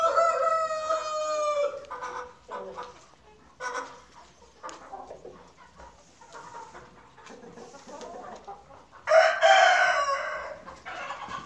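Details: Farmyard rooster crowing twice, one slightly falling crow at the start and a loud, rough one near the end, with scattered clucks and soft farm sounds between them.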